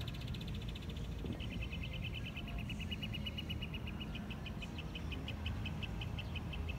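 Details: Northern Mockingbird in MA singing a rapid string of sharp, high notes, about seven a second, that shift slightly in pitch partway through, over a heavy traffic rumble.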